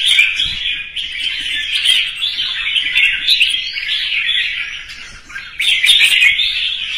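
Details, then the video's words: Red-whiskered bulbul in morning competitive song meant to provoke rival birds; continuous busy warbling with rapid repeated notes, a short lull before a loud renewed burst near the end. "CHÀO MÀO | Hót sáng hót đấu thúc chim đấu hót xòe"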